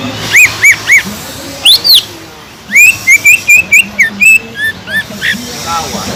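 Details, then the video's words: Greater green leafbird whistling to stimulate subdued leafbirds: three arched whistles, a high rising pair, a pause, then a rapid sequence of clear whistled notes tapering off. "PANCINGAN CUCAK IJO GACOR INI SANGAT EFEKTIF BUAT CUCAK IJO KURANG EMOSI"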